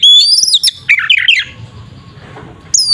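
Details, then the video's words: Oriental magpie-robin fighting song for provoking a rival: a rising whistle and tumbling chirped notes for about a second and a half, quiet, then another high whistle. "Suara burung Kacer TARUNG NGEPLONG sangat efektif untuk pancingan Kacer agar emosi"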